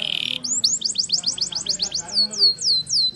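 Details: Captive canary training song with a short buzzy note at the start, followed by a rapid chain of high, clear downward-sweeping notes repeated several times a second. A faint low hum sits underneath.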